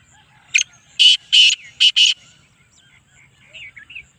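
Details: A 'speeder', 'chakri wala' black francolin gives a rasping, buzzy call: a brief first note, a pause, then four harsh, strident notes in quick rhythm, the last two nearly joined, with soft twittering of small birds afterwards.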